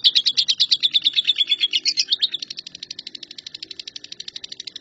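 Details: Lovebird performing the continuous 'nyambung kuntilanak' song, used as shrike training audio: loud, jumbled high chatter at first, then a quieter, even, rapid string of thin notes fading over the last half.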